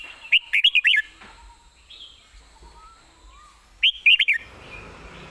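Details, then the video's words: Red-whiskered bulbul, a caged bird kept for singing, perched and delivering two short phrases of quick, clear whistled notes swooping up and down, about a second each, separated by three seconds of near quiet with faint background chirps. "ยืนร้องชิวๆ"สำนวนดี ปากไว #นกกรงหัวจุก #เสียงนกกรงหัวจุก"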